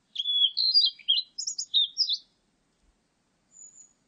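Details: Blue-and-white flycatcher singing, 2020, with a rapid varied phrase of whistles jumping between high and lower pitches, broken into quick notes for about two seconds, followed by a faint thin high whistle.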